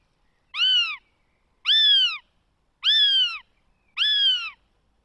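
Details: Northern goshawk chick, the third in its nest, begging in the Netherlands on 20 June 2020; four loud, drawn-out, harmonically rich wailing cries that arch and slide downward, repeated about once a second with silence between.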